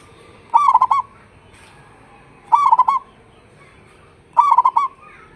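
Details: Local zebra dove with a big voice, used as a lure so other doves answer; three bubbly, stuttering coo phrases, each about half a second long, repeated roughly every two seconds against a quiet background.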